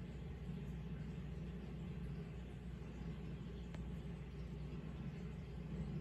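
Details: Steady low rumble like passing traffic fills the recording, with a single faint click and no animal voice.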